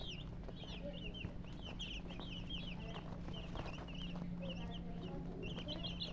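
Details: Chirping from colored chickens kept with a murgi hen, many short falling peeps tumbling over one another throughout, with a constant low hum underneath.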